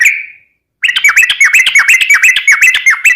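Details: Vigorously singing yellow-vented bulbul (trucukan) used as a lure for other birds: one drawn-out note, a short silence, then a fast run of sharp, down-slurred chirps repeated about six times per second.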